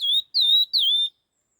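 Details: Red-tailed laughingthrush in fast stimulating song: three clear whistled notes near the same pitch, each sliding down then levelling, about a third of a second apart, then silence.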